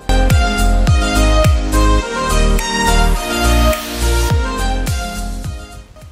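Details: Only music is heard, with steady plucked bass notes and sustained tones, and no animal sounds.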